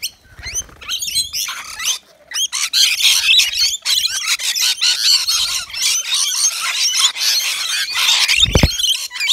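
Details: Rainbow lorikeets, native Australian birds, gathered at a balcony nectar feeder filled with wet mix, giving dense, harsh, screechy chatter: rapid overlapping squawks and shrill notes almost without pause, with a brief low thump near the end.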